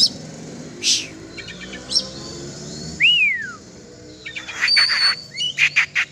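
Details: Oriental magpie-robin (kacer) being exercised in the open: scattered short clicks and chips, then a clear whistled note sliding downward, followed by a burst of rapid high chattering notes.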